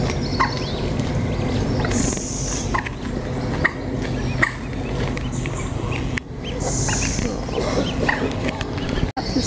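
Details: Young common moorhens at Fleet Pond on 10 July 2019, with a parent bringing food: scattered short peeps and chirps over steady low rumbling, broken by a few soft hissing bursts.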